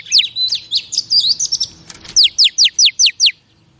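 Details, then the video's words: Female oriental magpie-robin singing to stir up males: a short warbled run of high whistles, a brief pause, then about seven sharp downslurred notes repeated quickly at an even pace. "Chòe Than Mái Kích Trống"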